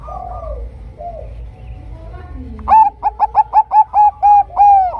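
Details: Zebra dove of the Bangkok type, sung to lure other zebra doves into singing: softer, lower sliding coos first, then a fast burst of about eight clipped, hollow coo notes, the last one drawn out longer.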